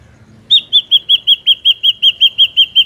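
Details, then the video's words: Ashy drongo in the wild, sound used as a trapping lure: a fast, even run of about thirteen loud whistled notes at one steady pitch, like a rapid piping trill. "SUARA BURUNG SRIGUNTING ABU ASLI SUARA ALAM"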